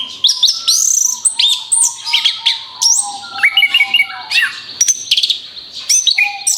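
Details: Orange-headed thrush singing as bait for other birds: energetic rapid phrases of high whistles, chirps and scratchy notes over a quieter steady low whistle, continuous throughout.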